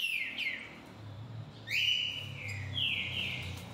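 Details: Green-winged saltator singing: two loud whistled phrases, each sliding down and then levelling off, separated by a short pause, over faint low background hum.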